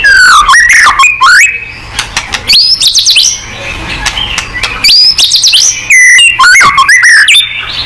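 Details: White-rumped shama song played to set off other birds: rich, varied phrases of steep slurred whistles and rapid chips, loud bursts broken by short pauses and quieter murmuring notes.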